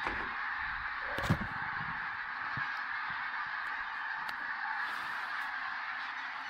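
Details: Massed calling of common cranes at sunrise in the Tister Bauernmoor, Germany, under more clouds than forecast; a continuous blended trumpeting chorus, broken by a sharp knock after one second and a few faint clicks.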